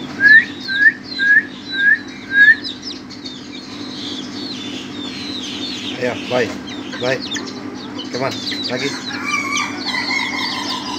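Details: A young Ayam Ketawa (laughing chicken) gives five sharp, rising crowing notes in an even, laughing rhythm, then falls quiet while a person talks and other birds twitter in the background.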